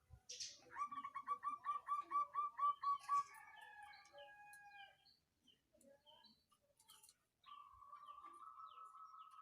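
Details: Local zebra dove, songgo ratu type, used as a lure to excite rivals and get lazy birds singing: about ten rapid hooked coos in a run lasting two seconds, followed by rustling, clicks and a steady high tone.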